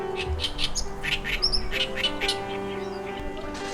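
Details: A male Oriental reed warbler in breeding season sings courtship song from a restored wetland by Gyeongpo lagoon, Gangneung, Korea: harsh, grating chattered notes in quick bursts, about two a second, over soft background music.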